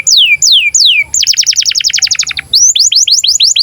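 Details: Breeding-condition canary song meant for training young birds: three long descending whistles, a dense rolling trill of repeated sharp notes, then rapid upward-then-down swept chirps in quick succession.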